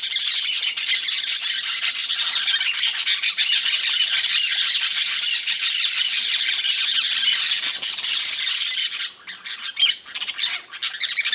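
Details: Yellow-chevroned parakeets on a coconut palm: a dense, continuous chorus of shrill, harsh screeching chatter from many birds, thinning into scattered sharp squawks near the end.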